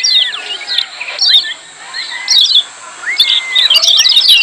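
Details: Lemon-bellied white-eye 'ciak' calls, a loud and busy training recording: bursts of high, rapid chirps in clusters separated by short pauses, with sliding whistled notes running beneath them.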